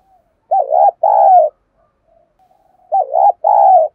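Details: Spotted dove decoy cooing to entice wild doves into fighting: two rapid phrases of a wavering note plus a sustained mellow coo, roughly two and a half seconds apart, in near silence.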